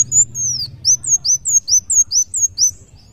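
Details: Kolibri wulung sunbird in full gacor song: a brisk, even string of about nine high, sharply descending whistled notes.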